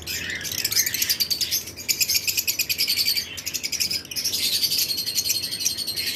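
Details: Lovebirds in a flight cage during breeding season keep up an unbroken, high-pitched chattering of fast repeated chirps, the many birds in the colony calling over one another.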